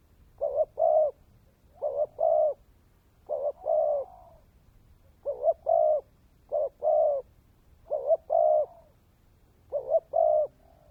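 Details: Decoy spotted dove giving its cooing song: seven regular phrases, each a quick double note followed by a longer hollow coo, spaced about one and a half seconds apart, on a quiet background.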